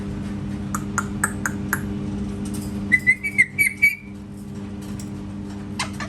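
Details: Parrot imitating cat sounds indoors: a run of sharp clicks, then a quick series of bright whistled notes, repeated about five times in two seconds, then quiet room hum.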